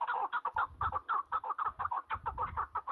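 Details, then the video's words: Partridges in the mountains: a fast series of short, harsh chuckling notes, about four per second, repeated without pause, with low rumbling noise underneath. "Listen to the sound of partridges and wild birds in the mountains"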